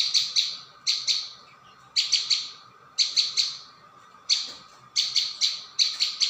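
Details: High, sharp chirps from a prinia lure track, delivered in quick clusters of two to four notes, repeated roughly every second, steady hum behind.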